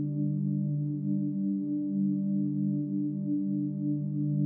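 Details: Sustained ringing tones, like a singing bowl, hum steadily with gentle swelling, and no animal is audible.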